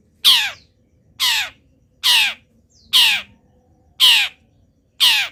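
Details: Long-tailed shrike singing through its moult, part of a song filled with wild-bird imitations: loud, harsh, rasping calls that slide downward, given about once a second in a regular series.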